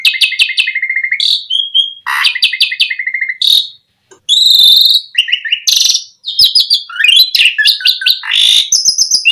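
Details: Asian pied starling song, used to lure other starlings into singing: a rapid medley of bright chirps, quick repeated note trills, sliding whistles and harsh buzzy bursts, packed densely with a brief pause midway.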